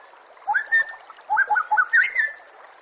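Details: White-rumped shama (murai batu) master song for training other shamas, set with nature sounds and trickling water: clear whistled notes, some rising and some sliding, in two short bursts separated by a pause, with a faint watery hiss beneath.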